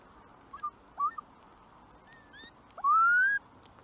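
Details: Curlew: short whistled notes, then a loud, clear rising whistle that slides upward for about half a second, with fainter whistles from other birds in the background.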